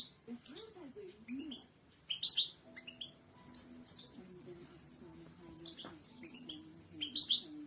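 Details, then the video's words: European goldfinch singing, meant for teaching other birds to sing: scattered sharp, high chirps and short twittered phrases over a faint low hum. "اقوى تغريد حسون الملكي"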